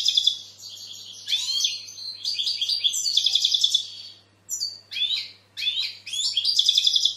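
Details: European goldfinch song, said to attract females and stimulate young birds to sing: choppy bursts of high chirps, buzzy downslurs and short rapid trills separated by brief silences.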